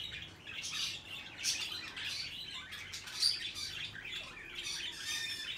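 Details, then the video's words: Hand-tame peach-faced lovebird, recorded 21 March 2020: scratchy chirps and brief squawks in loose clusters, one sharp high whistle-like note near the middle, over a faint hiss. "コザクラインコ 手乗り"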